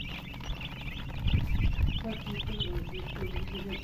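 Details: Chicks chirping in a lively chorus of high short peeps, joined midway by lower thumping and murmuring sounds over a low background hum.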